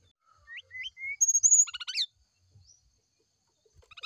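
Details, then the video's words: Brown-chested jungle flycatcher singing in the morning, played to prompt a reply: short rising whistles, then high thin notes and a quick burst of buzzy, stacked chips, with brief sharp clicks at the end. "PANCINGAB SRDC NYULING DI PAGI HARI"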